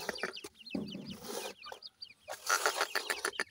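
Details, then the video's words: Baby grey francolin (dakhni teetar) giving quick, high, falling chirps in short runs, mixed with rustling and bursts of broad hissy noise. "grey francolin cute baby talk,dakhni teetar checks voice"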